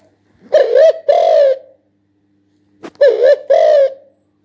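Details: Spotted dove cooing: two phrases of paired hollow notes, each a brief coo followed by a drawn-out one, separated by a short pause and a faint click.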